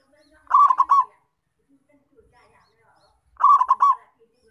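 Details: Two rolling cooing phrases from a local zebra dove in full song, used to attract wild doves for capture. Each phrase is a quick cluster of four or five notes, about three seconds apart, over faint background murmurs.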